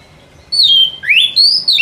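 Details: Lure song of a white-rumped shama for trapping birds in the forest: a long clear whistle sliding slightly down, then a rising swoop into another sustained high whistle, ending with a short dropping note.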